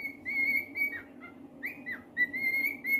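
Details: Pet cockatiel singing: long sustained whistled notes with bends and slurs, a few short rising chirps between phrases, over a constant low humming background.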